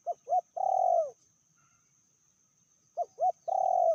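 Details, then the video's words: Female spotted dove, said to be fiercer than the male, giving a medium-pitched call: two short rising notes followed by a long, slightly falling coo, the phrase repeated after a pause of about two seconds. "Betinanya lebih ganas dari jantannya/bl suara sedang"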